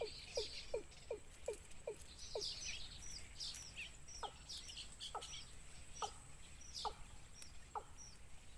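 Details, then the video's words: Wild chicks in a nest beg their mother for food, with a rapid run of short falling notes, then slower spaced ones, and thin high chirps scattered above. "Baby Birds Pulls Mother Down Because They Want Food"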